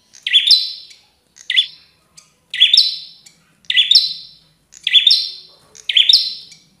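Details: Combative prinia in full song. Six short, bright phrases repeat at a steady pace of roughly one a second. Each starts with a rapid upward flick and ends on a buzzy, level note. The background is quiet.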